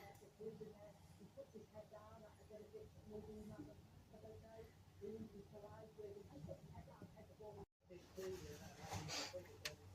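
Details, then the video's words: A Eurasian hoopoe in a back garden on 21 December 2024, possibly an escapee, gives low, soft hooting notes repeated in short groups, with faint higher chirps and a brief dropout near the end. "Is it a train? No! It's a Bird, A Hoopoe"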